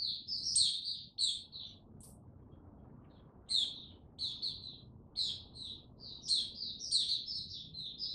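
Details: Kept white-eye, 6 March 2022, building confidence slow and steady before full song; quick high-pitched chirping phrases, a pause of about a second and a half midway, then dense twittering resumes.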